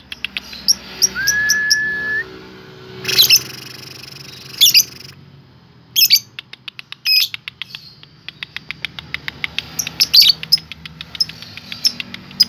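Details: Lovebird giving a rapid ticking chatter that runs into a long cackling trill, used to provoke other lovebirds into singing and fighting: one smooth rising whistle, then sharp bursts and fast repeated clicks.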